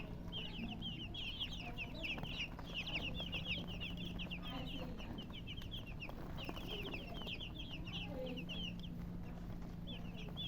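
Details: Chorus of baby chickens giving bright, rapid cheeping in clustered runs of short downward notes, nearly continuous, with a faint low hum beneath.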